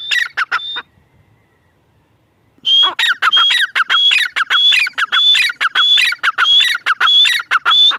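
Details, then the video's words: A grey francolin calls in quick harsh phrases, falls quiet for nearly two seconds, then delivers a strong even series of grating notes each ending in a shrill whistle. "Teetar voice | gray francolin teetar sound | teetar ki boli | mada teetar ki awaz"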